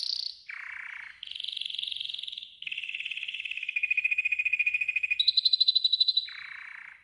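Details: Training song of a yellow golden canary, a chain of sustained rolling trills jumping between low and high pitches, each tour lasting one to two seconds, some pulsed, some buzzy.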